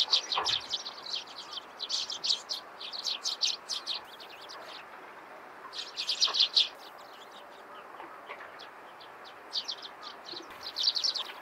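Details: Dense morning chirping of Eurasian tree sparrows: bursts of fast, overlapping high notes alternating with quieter stretches, with faint wing-like rustles at times.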